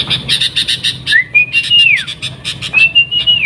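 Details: Sooty-headed bulbul song: rapid chattering notes mixed with clear whistled phrases that rise, hold steady, then slide down, repeated twice over a few seconds.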